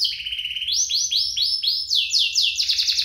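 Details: Canary duet for encouraging canaries to sing and training juveniles: a steady low-pitched trill shifting into a series of rising swoops, each about a third of a second long, ending in quick high rolling notes.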